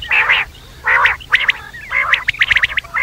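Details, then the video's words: Quail calling at night: broad raspy churring bursts alternate with quick, sharp clicking notes, repeated about once a second. "batair rat wali awaz"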